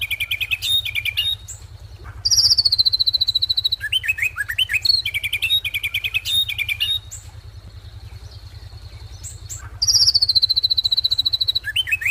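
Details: Song of an ashy drongo: bursts of rapid high chipping alternate with slurred, swooping whistled notes and a long flat thin tone, all over a constant low droning hum.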